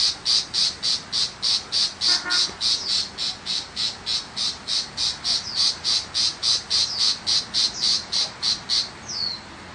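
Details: Countryside tiger shrike in Vietnam repeating scratchy, buzzy chack notes in a rapid regular rhythm, about three or four each second. The series ends on a short downslurred note.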